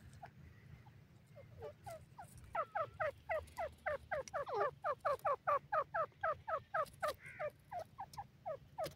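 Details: Grey francolin (called Dakhni teetar, Indian francolin) calling at home: a loud, ringing series of harsh repeated notes, about four a second, building quickly then easing off over a low background hum.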